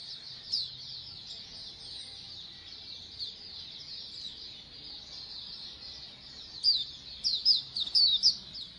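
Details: Oriental white-eye colony chorus meant to make birds sing more diligently: a constant thin, high twittering haze from many birds, with louder sharp chirps and whistled notes breaking through in the last two seconds.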